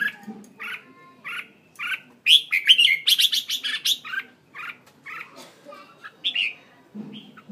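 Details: Decoy red-whiskered bulbul in a cage, Hanoi, Vietnam, singing repeated chirped notes around steady intervals, with a loud, rapid cluster of bright whistled and warbled phrases in the middle.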